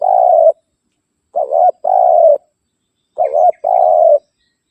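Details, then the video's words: Spotted dove giving its rival-challenging call, used as a lure: low mellow coos in pairs, a dipping double note followed by a longer level coo, repeated about every two seconds with clear silent gaps. "Suara Burung Tekukur Memanggil Lawan"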